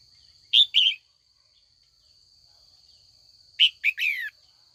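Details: Calling to set older wild-caught males singing, a female red-whiskered bulbul in afternoon training gives two brief bursts of clear slurred notes, the second ending in a falling whistle, against a steady thin insect-like tone.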